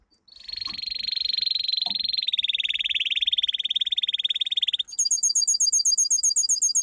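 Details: Domestic canary singing a powerful training song: a long, loud, fast buzzy trill held at one pitch for about four and a half seconds, then a sudden switch to a higher, rapid chattering trill.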